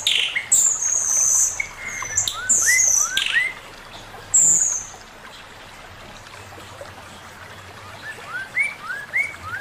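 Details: Male Chinese hwamei master song: high shrill whistles and rising slurred notes early, a quieter pause, then a soft run of short upward whistles at the end.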